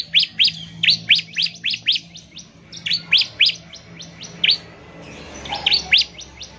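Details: Bar-winged prinia song meant to provoke other prinias into singing: sharp, upward-sweeping high notes repeated about four times a second, with a faint low hum beneath.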